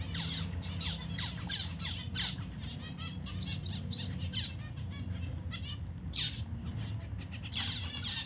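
Zebra finches give many short, nasal, honking calls, overlapping quickly and steadily, over a constant low hum.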